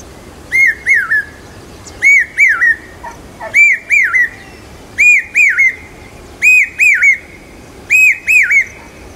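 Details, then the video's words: Loud monsoon calling of a common hawk-cuckoo, known locally as papiha or pawsha, near Aurangabad, said to herald rain. Six clear, piercing three-note phrases follow each other steadily, each note a rising-falling whistle. "पपीहे की मधुर आवाज Common Hawk Cuckoo Calling Loud During Mansoon पावशा पक्षी Signaling Rain"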